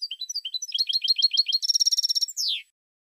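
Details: European goldfinch delivering a rapid continuous twitter: high tinkling notes accelerating into a fast buzzy rattle of repeated chirps, closing with a descending slurred note, no other sounds.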